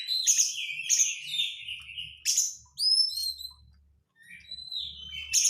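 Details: Oriental magpie-robin crecetan lure: rasping trilled notes, then a loud burst and clear rising whistles, a pause, and a long level whistle, with a soft low hum beneath.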